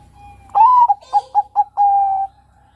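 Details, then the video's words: A single phrase from a young male Bangkok-type zebra dove: a rising, swelling first coo, three short soft notes, then a long level coo fading out. "Panggilan SUARA Perkutut Bangkok KUTUT bangkok PINTAR Bikin BUNYI Perkutut Jantan REMAJA MUDA"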